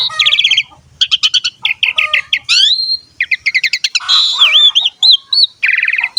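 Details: Asian pied starling (jalak suren) song for coaxing young birds to sing: quick chattering note series, a rising slurred whistle, then looping whistled phrases and a closing buzzy trill, delivered in busy bursts.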